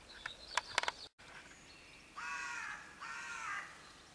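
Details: Raven giving two harsh, hoarse caws of about half a second each, close together, after a few sharp clicks at the start, over faint background hiss.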